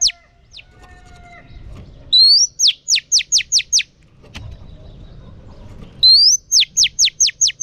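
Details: Female oriental magpie-robin singing to stimulate males: a sharp rising whistle followed by a rapid run of six falling, whip-like notes, the phrase given twice with quiet gaps between.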